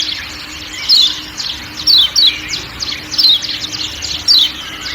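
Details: High, thin falling chirps of a kecial kuning from Lombok, the 'ciak ciak' call set in forest sounds, coming in pairs about once per second over a soft background drone.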